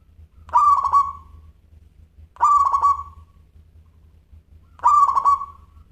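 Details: Zebra dove of local stock in full song, crystal-voiced style: three stuttering, rolling coo phrases, each ending in a drawn-out fading note, repeated roughly every two and a half seconds above a soft low pulsing hum.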